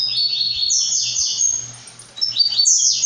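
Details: {'caption': 'Blue-black grassquit, brown plumage, sings repeated scratchy buzzing phrases that sweep up and down. A short pause is followed by another rising buzzy burst, over a low hum.'}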